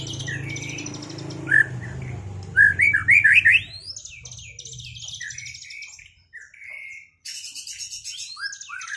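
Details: Post-moult white-rumped shamas duelling to restore singing form: a few loud, bright whistled and warbled phrases near the start, then quieter high chatter and fragments over a low background hum.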